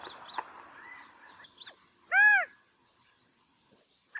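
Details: A single loud, arched, nasal note from a California quail stands out from faint chirps of other birds in the background, followed by quiet and one brief clipped note at the end.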